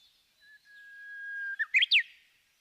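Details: Japanese bush warbler song: a soft clipped note, then a long level whistle, then an abrupt flourish of three quick notes rising and falling, ending in a downward sweep.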